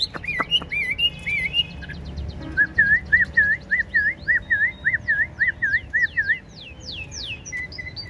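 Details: Tame caged Chinese hwamei with a spread tail, singing continuously: a few looping whistles, then a steady run of clear wavy whistled notes about three per second, ending in fast downslurred high notes.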